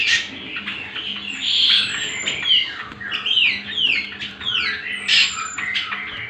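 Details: Cucak kombo, the greater green leafbird, singing as a master song for tutoring birds: a rich run of swooping, slurred whistles and rapid descending notes, with a faint high thin whistle and a constant low hum.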